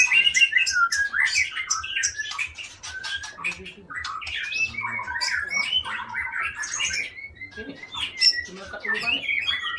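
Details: Rich, fast song from a captive long-tailed Aceh white-rumped shama kept for breeding in Indonesia: jumbled whistles, sharp chips and warbled slurs tumbling without pause over a soft regular low pulse.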